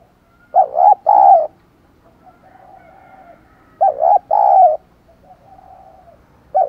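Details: Spotted dove acting as a decoy, cooing to draw wild doves: two loud stuttered-then-long coo phrases, with softer cooing from another dove in the gaps and a third phrase starting at the end.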